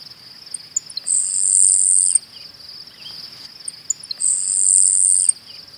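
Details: An eastern North American Grasshopper Sparrow sings twice: a few faint, very high ticks, then a thin, insect-like buzz about a second long, over a steady cricket-like drone.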